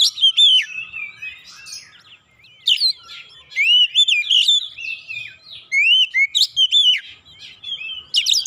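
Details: Oriental magpie-robin (kacer) song used as provocation to set birds singing: long varied sequence of sweet whistles, upward slurs and buzzy chattering notes, with a brief lull near the middle.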